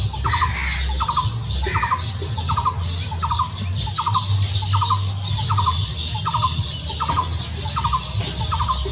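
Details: Weaver birds giving short groups of rapid, clipped chattering notes, repeated steadily about every 0.6 seconds, over constant loud hiss and low rumbling background noise.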